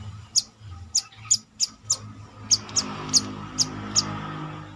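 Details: Brown-throated sunbird in captivity during confidence training, giving a steady run of about eleven piercing, very high chips, roughly two per second, over a faint low hum.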